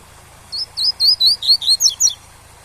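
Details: Training recording of a captive double-collared seedeater's tui-tui song: eight loud, evenly spaced whistled notes, mostly rising sweeps, ending in a few steeper twisting notes, backed by a faint steady rush of falling water.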